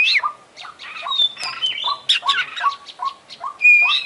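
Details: Kacer (Oriental magpie-robin), international contest winner, in a dense, jumbled imitation-rich song of squeaky slurred notes, brief whistles and falling mid-pitch chips crowded closely together.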